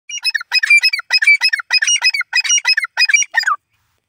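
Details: A grey francolin (teetar) gives a rapid run of shrill, squeaky, grating notes, about three a second for three and a half seconds, then falls silent.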